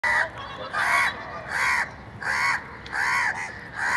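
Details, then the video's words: Crow cawing, a harsh nasal caw repeated at a steady pace, about five calls in four seconds, each with a slight downward bend, over faint background hiss. "Crow Bird Crowing Sound | Crow Ki Awaz Naturally"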